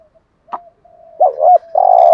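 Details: Spotted dove in 'gù thúc' urging coo, used to make decoy doves call. Faint soft tones give way to a wavering double hoot and then a long, even, mellow coo that runs to the end.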